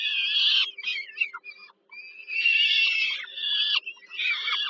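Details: Mother peregrine falcon feeding her chicks at dinner in Warsaw, Poland, 15 July 2022; chicks give harsh, drawn-out wheezing screams, a stretch of choppy shorter notes and a brief silence, then screaming resumes; faint hum.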